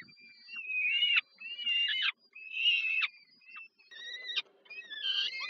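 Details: Begging peregrine falcon chicks fed by their mother at dinner, Warsaw, Poland, 15 July 2022: hoarse rising cries about one per second, each ending abruptly, swelling and fading, over a soft background hum.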